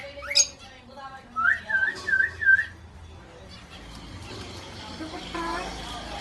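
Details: Indian ringneck parakeet producing a quick upward squeal followed by four wavering whistled notes in a row, then quiet room noise.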